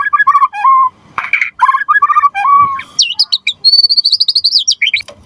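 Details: White-rumped shama (murai batu) in full gacor song, used as a lure and master song: mellow low whistles and varied phrases, then a high, rapid run of repeated sharp notes.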